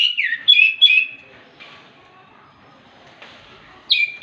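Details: Orange-headed thrush singing calmly in the morning, prompting other thrushes to join in: a quick burst of clear, rich whistled phrases, then a pause with faint distant notes, and another whistle at the end.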